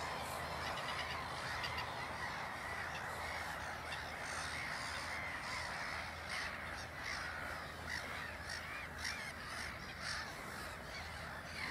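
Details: Black-headed gull parent walking away from its following chicks at Ottersaat, Texel, the Netherlands; harsh, rasping calls repeat about twice a second, overlapping in a busy chorus of many gulls.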